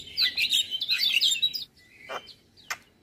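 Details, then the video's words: Morning song of a male Javan myna with varied phrasing: a dense, high, chattering warble of twisting whistles for over a second, followed by a short rasping note and two sharp clicks. "Masteran Jalak Pagi hari Dengan Kicauan jalak kebo Jantan full isian"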